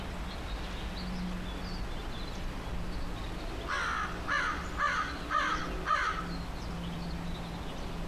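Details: Perched in a tree, an American crow calls a quick run of five raspy caws about half a second apart, with a constant low drone behind.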